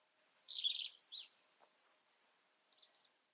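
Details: European robin delivering a sweet, clear phrase of very high thin whistles, some held and some falling, interspersed with a rough warble, ending in faint twitters.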